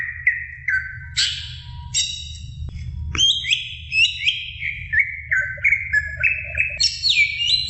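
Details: Greater green leafbird training song for other birds, a varied stream of whistled notes stepping up and down in short bright phrases, then a rapid run of repeated slurred whistles, with a low hum underneath.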